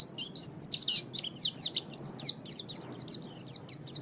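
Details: Oriental white-eye (pleci) training song for pet birds: loud, jumbled high warbles at first, then a series of quick, thin, downslurred chirps fading slightly.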